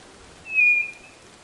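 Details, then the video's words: Single short, pure whistle of the White-bellied nothura, level in pitch and fading quickly, against a faint hiss. "CANTO da CODORNA do NORDESTE"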